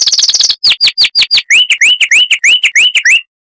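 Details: Chestnut-vented warbler, found in scrub near dry rivers in South Africa, delivering a ringing song: a fast high twitter, downward-swept notes, then a string of bright upslurred whistles about every quarter second.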